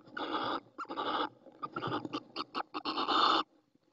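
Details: Little Owl female at her nest in Ávila, Spain, in spring while incubating eggs, giving wheezy, rasping calls: several long grating bursts and a run of short choppy notes, ending in a loud drawn-out rasp.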